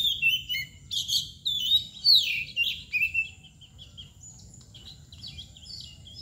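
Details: Oriental magpie-robin, the local kacer, labelled mbagong or koci nangkur: loud, varied whistled phrases with rising and falling sweeps for about three seconds, then quieter high twitters against a faint hum.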